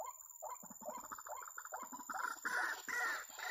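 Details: White-breasted waterhen (kreo padi) at a trapping site: rapid, rising croaky notes that grow louder and harsher toward the end, becoming broad, rasping bursts, with a steady high electronic whine.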